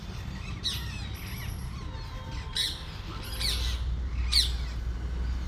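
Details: Parrots chirping loudly while eating and balancing on a wire outdoors: harsh, scratchy squawks come about once a second, over steady low rumbling background noise.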